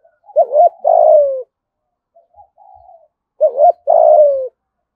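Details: Spotted dove in Đồng Nai, Vietnam, cooing in thúc gù, thổ-voice style: two phrases about three seconds apart, each a wavering double note followed by a drawn-out, gently falling coo, with soft quiet notes between.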